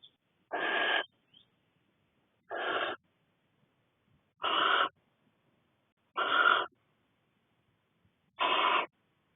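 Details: Six barn owlets together in a nest box in Cornwall while their mother is away stretching her wings; five harsh, broad hissing screeches, each about half a second, spaced roughly two seconds apart in a quiet setting.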